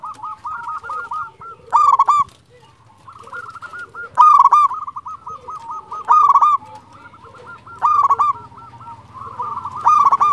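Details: Local zebra dove, a strong caller said to draw quick replies, with a continuous stream of rolling coos broken every two seconds by loud, harsh, emphatic bursts.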